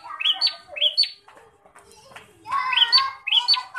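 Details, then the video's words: Bar-winged prinia described as an aggressive fighting bird, singing short, rising, buzzy notes in pairs, with a busy stretch of softer mixed chirps in the middle. "Prenjak Petarung Gacor Emosian"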